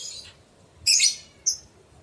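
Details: Lovebird calling as a lure to draw answers from other lovebirds: a faint shrill burst, then a loud harsh screech and a short piercing chirp, separated by quiet gaps.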